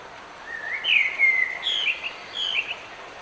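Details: Singing bird in falling rain, delivering a rising whistle that runs into a long bright warble and a trailing set of higher notes, with unbroken rain noise behind.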